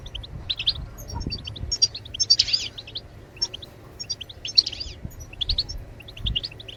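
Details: Goldfinch batbatat song used to encourage birds to sing: high, liquid twittering notes in scattered clusters, one harsher buzzy burst in the middle, over a faint low hum.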